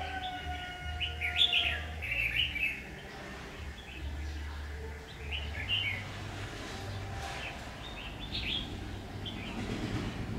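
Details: Red-whiskered bulbul at a trapping session, 7 August 2019: several bright, quick warbled phrases come in bursts about every two to three seconds, with a constant low rumbling hum and faint background noise.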